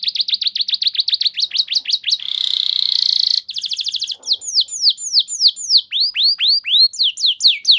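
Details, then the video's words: Canary singing a lure song for training: fast trills of downward-sweeping whistled notes, a buzzy rolling trill in the middle, then slower, louder descending slurred notes. "Terapi Burung Kenari Cepat Bunyi Gacor Dengan Suara Pancingan Kenari Gacor Nembak Panjang Ini"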